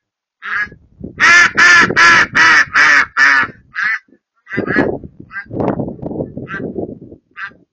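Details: Wood ducks in a marsh: a quick run of six loud, harsh squealing calls roughly every 0.4 seconds, then scattered shorter calls over a rumbling, noisy background.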